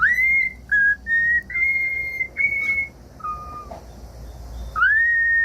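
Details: Cockatiel song of clear whistles meant to get a pet cockatiel singing: rising notes that hold steady, several short level tones, a lower dip, then a final rising whistle.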